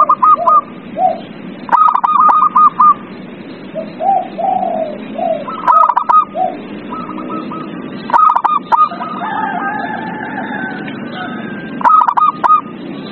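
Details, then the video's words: Lure song of zebra doves to make a lazy bird sing: repeated runs of rapid, rolling coos interleaved with lower mellow hoots, phrases every few seconds, soft hiss throughout. "Pancingan perkutut paling ampuh | perkutut males bunyi"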